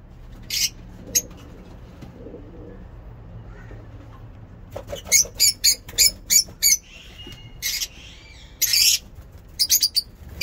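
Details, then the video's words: Lovebirds in a mini zoo singing in the morning: a few isolated shrill chirps, then a lively series of short, raspy high notes in quick succession, with a brief buzzy squeal near the end. "Lovebird ngekek lovebird singing in mini zoo"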